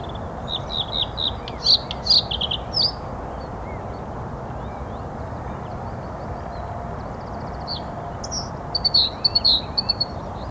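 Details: Singing male Bluethroat perched in willow, April 15, 2021, recorded on a Canon EOS R5: bursts of sharp, ringing high notes and rapid chattering phrases open and close the stretch, with a quiet gap between, over constant low background noise.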